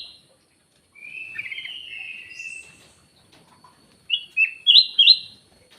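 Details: A soft, drawn-out warble from a black-naped oriole gives way to four sharp whistled notes near the end, with a steady faint high tone in the background.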